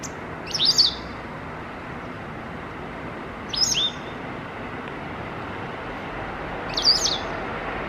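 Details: A territorial white wagtail on a balcony in Japan in November, calling loudly after another flock of wagtails flew to its perch, gives three sharp, high double-noted 'chizzick' calls about every three seconds over steady broad hiss.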